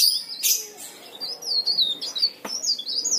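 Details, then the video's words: Brief vigorous leaf warbler song used as a lure for other leaf warblers: rapid high chirping notes that sweep up and down, run together almost continuously, with a couple of sharp clicks. "burung cikrak daun gacor istimewa"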